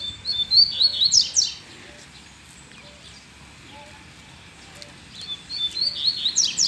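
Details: Double-collared seedeater living free, stimulated by a female, repeats a short energetic phrase twice, about four seconds apart; each is a fast run of high twittering notes finishing in steep downward slurs.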